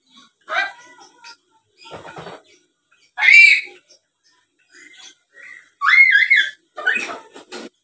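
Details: Chattering black-capped lory, said to be good at talking, uttering grating squawks and a loud screeched note, then a pair of rising, nasal, slurred calls near the end.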